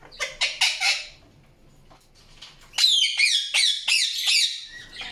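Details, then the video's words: Indian ringneck parakeet: four harsh, broad squawks in quick order, a short pause with faint clicks, then a loud stream of high, wavering, upward-sweeping chirps. "PARROT CHIRPING SOUNDS | PARROT | PARROT NATURAL SOUNDS"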